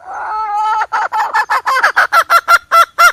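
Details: Hen calling, recorded for use as a trapping lure: a drawn-out harmonic note that breaks into a fast, regular series of about a dozen short, nasal clucks, each rising slightly in pitch.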